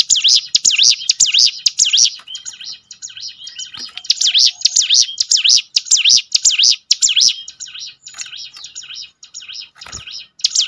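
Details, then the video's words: Mountain prinia singing in bursts of rapid, high, up-and-down whistled phrases separated by short pauses with quieter chirps and clicks. The recording serves to encourage captive birds to sing more often. "ciblek gunung mana yang gak tergoda ikut berbunyi"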